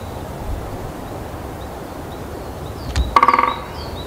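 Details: Male great spotted woodpecker drumming on a dry, resonant pine branch in Kalinovsky forest park, Yekaterinburg, on 1 April 2020, announcing the territory to rivals and attracting a female; after quiet, one short, rapid roll of about ten strikes.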